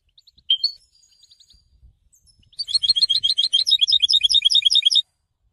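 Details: European goldfinch giving a few soft notes and a sharp chirp, then a sustained two-and-a-half-second stream of rapid, evenly repeated, liquid twittering notes; faint low thumps occur in the background.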